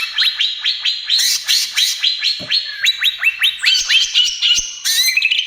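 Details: Greater green leafbird, trotol-style song for luring and therapy of other birds. A steady series of sharply rising whistled notes repeats several times per second, broken by brief harsh bursts.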